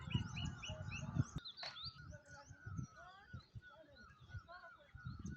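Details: Wild birds calling outdoors; many short whistled chirps and rising and falling notes overlap from several birds, with thumps and low rumbling noise nearby.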